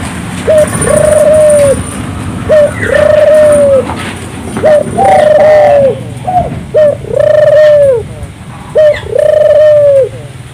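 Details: Turtle dove singing strongly, a lure recording to get local doves singing; five repeated phrases, each a quick clipped note then an extended even coo, over a steady low background hum.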